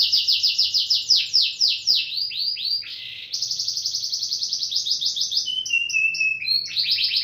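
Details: Canary song of rapid trilled rolls: fast repeated high notes slurring downward, a brief buzzy burst, then steadier rattling trills and lower flat whistled notes, with a soft low hum behind.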